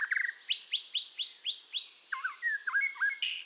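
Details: Red-whiskered bulbul singing, voice training: a string of about seven short upward-flicking notes evenly spaced, then lower wavering whistled phrases.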